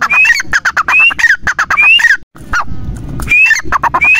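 Grey francolin calling in harsh, rapid, ringing notes, each with a short rising whistle, repeated in quick runs; a brief pause and low rumble midway.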